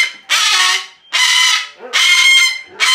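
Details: Rescued pet umbrella cockatoo, a 23-year-old female, letting out three long, raucous, hoarse screams with pauses between, and a fourth beginning at the end.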